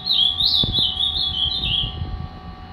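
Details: Angry three-year-old Ultramarine grosbeak, a caged fibra bird, giving one continuous warbled phrase of sliding whistled notes that fades toward the end, faint hum and room noise.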